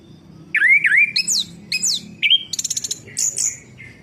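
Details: Orange-headed thrush song, used to stimulate a non-singing bird: a lively run of loud rising and falling whistled notes, a fast buzzy rattle of repeated clicks, then more high slurred whistles.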